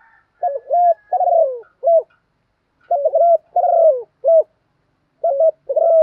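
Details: Decoy female spotted dove cooing to draw a male into calling back; two full low phrases, each a stuttered double coo, a drawn-out descending coo and a clipped last note, about three seconds apart, with a third phrase beginning at the end.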